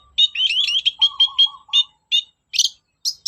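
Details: Long-tailed shrike, a lure for shrikes that refuse to sing: quick warbled and chipping notes in a run. A lower, buzzy trill overlaps partway through, and later phrases are louder and harsher.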